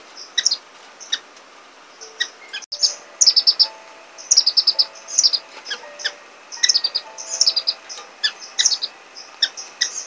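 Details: Orange-cheeked waxbill (Estrilda melpoda) giving rapid high, thin chirps and sliding squeaky notes in bursts, with several birds seemingly overlapping; a brief click interrupts near the start and soft lower tones run through.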